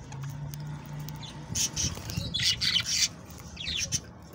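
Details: Budgerigars singing to encourage mating: bursts of scratchy, high chattering warble and squawks, with a low steady hum underneath.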